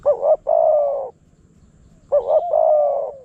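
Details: Spotted doves in Phrae, Thailand, a wild bird lured toward a decoy: two matching phrases, each a quick wavering double note run into a long husky coo, separated by a second of quiet.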